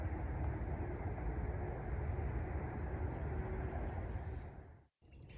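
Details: Dense low vehicle rumble across the whole recording, cut by a short dropout near the end, with no animal calls.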